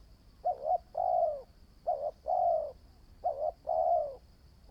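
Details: Spotted dove, a new decoy bird in training, giving three low cooing phrases, each two short clipped notes followed by a long drawn coo, repeated about every one and a half seconds; a faint steady high whine runs throughout.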